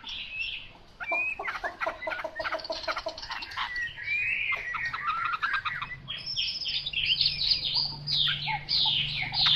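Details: Chinese hwamei, a 'mộc dở' bird, in a varied song: a burst of harsh buzzy clicks and rattling notes, then clear sweeping whistles, and finally a rapid series of high descending chirps, with a low steady hum behind.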